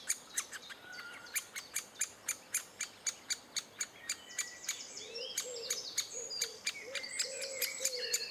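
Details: Great spotted woodpeckers in June 2011, adults feeding chicks: sharp, dry clicking notes repeated rapidly, nearly four per second, with faint whistled birdsong and, late on, soft low warbling notes in the background.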